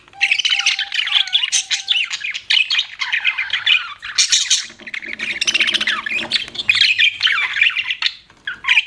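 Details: Pet budgies chirping, giving a steady stream of high warbling and squawky chatter, with a low held tone early on and faint lower hum in the middle.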